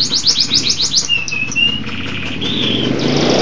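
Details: Local canary delivering a quick run of rising chirps followed by thin whistled notes and softer trilling, while a low rumble builds toward the end.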